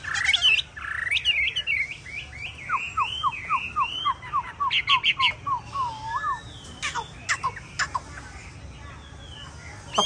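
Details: Hwamei with yellow legs, yellow bill and yellow plumage, known as 'tam hoàng', singing. Clear whistled phrases lead into a fast run of short downslurred notes. Sharp clicking bursts follow, then softer, sparser whistles.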